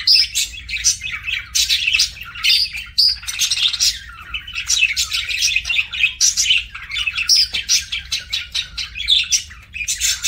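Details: Budgerigars kept as pets chatter while feeding, a continuous stream of rapid scratchy chirps and short whistled squeaks, pulsing in quick bursts with hardly any pause throughout.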